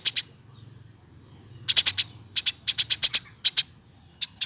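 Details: Eurasian tree sparrow reared by hand from a nestling and kept caged, now past a year old, giving bright piercing chirps in quick clusters of two to four, separated by brief gaps over a soft low hum.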